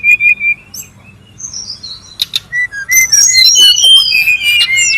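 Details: Brown-chested jungle flycatcher in the wild: a few short high notes at first, then quiet. Clear whistles build into a continuous stream of overlapping chirps and slurred high phrases.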